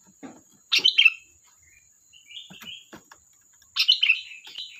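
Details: Lively sooty-headed bulbul song: a rich gurgling phrase of quick warbled notes, a quieter run of sliding whistles, then another loud bubbly phrase, over a thin constant high-pitched whine.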